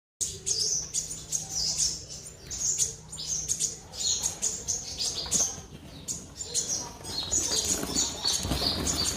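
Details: Caged black-throated sunbird at a bird market in Quy Nhon, Binh Dinh, Vietnam, singing its full song: rapid thin, high chirps and sharp twitters in quick bursts, with wing flutters and cage rattles throughout. A man speaks briefly at the end.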